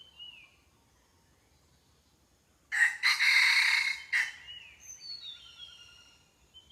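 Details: Red junglefowl crowing: after quiet, a loud crow bursts in with two short opening notes, a long harsh sustained middle and a clipped final note, followed by faint descending whistles of another bird.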